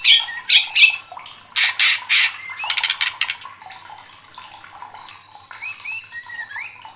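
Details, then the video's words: Fired-up white-rumped shama: it opens with bright doubled whistled notes, then breaks into three loud harsh rasps and a rapid rattling stutter, and ends with a few soft, thin whistles. "MURAI LANGSUNG KOAR-KOAR TERSULUT EM0SI | murai batu gacor | shama bird"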